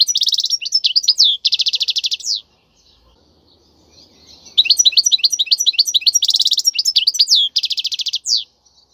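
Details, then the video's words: European goldfinch, wild khalwi-style song meant for training chicks: fast liquid twitters and dense buzzy rattles in long bursts, broken by a quiet gap of low murmur before singing starts again. "تغريد الحسون البري لتدريب الفراخ"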